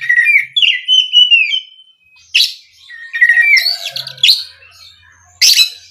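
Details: Lure song of an Oriental magpie-robin meant to provoke other birds into singing: fluting whistled phrases that rise and fall, broken by rough rasping notes and brief pauses.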